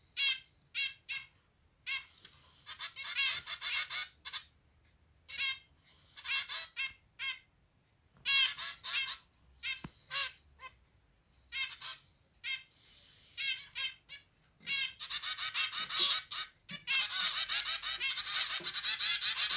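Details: A pair of pet zebra finches with three chicks that left the nest three days ago and now feed themselves with their parents' help; a zebra finch sings bursts of nasal, buzzy, toy-trumpet notes mixed with quick clicks and squeaks.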